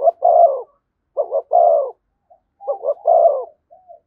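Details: Spotted dove singing in the "thúc gù" style near a decoy bird: three phrases, each with short stuttering lead-in notes followed by a deep, rolling coo, in a quiet setting.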